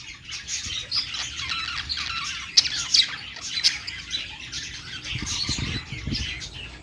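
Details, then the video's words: Pet budgerigars singing on a perch: a dense, continuous chattering warble of scratchy high notes and squeaky chirps from several birds, with a few sharper clicks standing out over a faint low hum. "budgies singing on perch"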